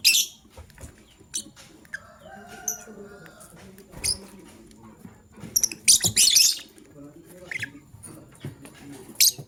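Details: Shrill, rasping chirps from a male lovebird choosing a partner: isolated calls early on, then a dense run of harsh chirps near the end, with light scratching noises in between.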